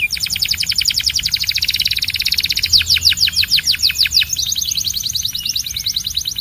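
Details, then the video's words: Belgian canary pouring out a very rapid high chattering trill, then a run of quick downswept notes and another fast rolling trill. "Don’t Play This Near Your Belgian Canary… It Might Sing Non-Stop"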